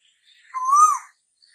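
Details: Asian koel (tu hú) calling as summer comes: a single clear whistled note, swelling and rising slightly before falling away, lasting about half a second in an otherwise quiet setting.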